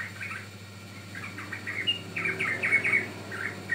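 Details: Lure and training song of a sooty-headed bulbul: soft scattered chirps at first, building after halfway into a louder burst of rapid, bubbly warbled notes, with a constant low electrical hum underneath.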